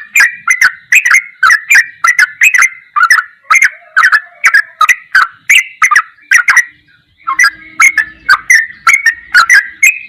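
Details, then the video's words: Sooty-headed bulbul in ropelan goklikan style, recorded as a master track for training songbirds: short bright chirpy phrases with sharp clicking onsets, repeated about twice a second without pause, with a brief break near seven seconds. "MASTERAN TRUCUKAN TERBAIK || ROPELAN GOKLIKAN TOP"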